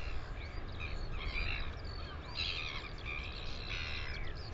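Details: Recorded in New Zealand on 9 September 2020, a Northern royal albatross gives three rough, buzzy call bursts about a second apart, partly masked by heavy low wind noise.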